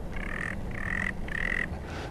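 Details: A male Sanderling in a wet area on Bathurst Island in the Canadian Arctic, on about day 10, gives three harsh, buzzy, frog-like, evenly spaced half-second notes during a display flight, with rain pinging on the dish.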